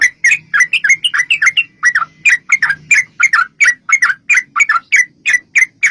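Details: Sooty-headed bulbul in fighting-style long 'ropel' song, meant to draw answers from other bulbuls. A continuous stream of quick, slurred two-part chirps, bright and even, with a faint low hum beneath.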